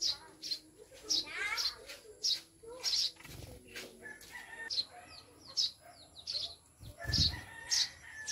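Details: Newly kept Maya, Eurasian tree sparrows, chirp sharply and repeatedly. Fowl-like clucking and a scratchy, wing-like flutter mix in near the middle and end.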